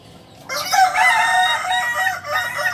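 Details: Kokok Balenggek rooster from Solok, West Sumatra, a singing village chicken bred for tiered crowing of up to 19 steps; one long sustained harmonic crow lasting about two seconds, wavering and dipping slightly in pitch, with a faint background murmur.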